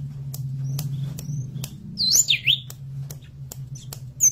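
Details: Forktail (tledekan gunung) singing for a master lure recording meant to make birds sing: a brief burst of sharp high whistles swooping up and down, faint thin notes, regular clicks and a steady low hum.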